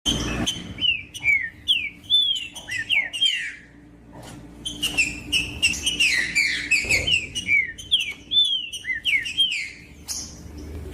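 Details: Green-winged saltator (trinca-ferro) singing to warm up and stimulate other saltators to sing: rapid run of clear whistled, down-slurred and looping notes, phrases tumbling closely together with brief pauses, over a faint steady low hum.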